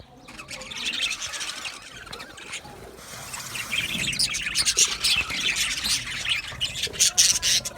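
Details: Aviary-kept male budgies, 8 December 2025, keep up steady high-pitched chirping and chattering; the flock noise builds gradually, with sharper squeaky notes standing out toward the end.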